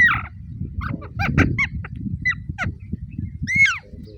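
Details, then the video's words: Green rose-ringed parakeets kept as talking parrots: a run of sharp, harsh squawks and short rising-falling screeches, some doubled, over low murmuring chatter. "Green Ringnecks cute voices"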